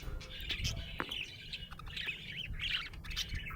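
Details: Happy budgie chirping: continuous chattering warble of quick rising and falling squeaks and short trills, steady low background rumble underneath.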